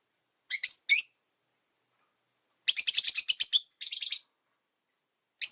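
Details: Caged pet rosy-faced lovebirds, five kept together in a cage by a window, calling often in winter: two sharp high chirps, then a rapid burst of about ten harsh chirps, a short pause, a few more, and a final lone chirp.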